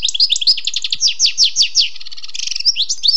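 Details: Dense, fast twittering of a wild European goldfinch, strings of sliding chirps broken by a short soft buzz before more bright notes.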